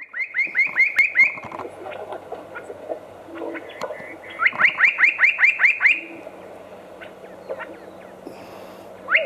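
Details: A spot-breasted parrotbill at Walong, Arunachal Pradesh, India, gives quick runs of six to eight loud, down-slurred ringing notes in two bursts with a short pause between, over a faint background hum.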